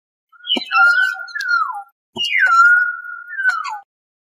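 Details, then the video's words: Common hill myna (Gracula religiosa) of Asian hill regions: two loud whistled phrases, each starting high with a click, dropping to a long level whistle and ending in a falling slur, separated by a brief gap. "O Canto do MAINÁ DA MONTANHA (Gracula Religiosa) Bird Song - Hill Myna"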